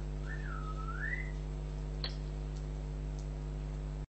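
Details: A single pure whistle from a pet African grey parrot. The note slides down, holds low, then climbs smoothly upward. One sharp click comes later over a constant hum and background hiss.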